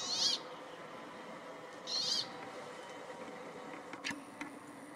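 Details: Brambling (Fringilla montifringilla) in forest near Ruka, Finland, giving its harsh, buzzy, drawn-out wheeze, twice about two seconds apart, with a couple of faint clicks afterwards.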